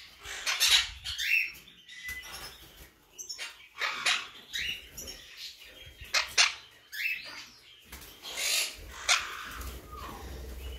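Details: Blue mutation monk parakeet squawking repeatedly in loud, coarse bursts with occasional brief whistled slurs, separated by clicks and rustle over about ten seconds.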